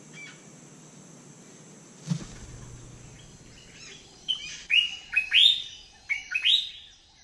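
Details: White-throated magpie-jay feeding on palm fruit in Costa Rica; after a quiet start with one thump, loud, rising, nasal whistled notes come in quick clusters of two or three during the final three seconds.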